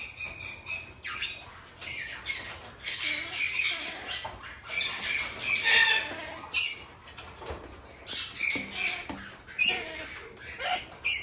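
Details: Three female hand-fed red-shouldered macaw (Diopsittaca nobilis) chicks give harsh, raspy squawks in irregular bursts, several voices overlapping, indoors with faint rustling.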